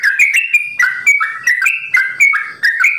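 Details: Captive sooty-headed bulbul delivering a fast 'ropel' song, 'simbar jati' variation: a burst of mellow, gurgling whistles with abrupt downward slurs, loud and close, in short rapid phrases.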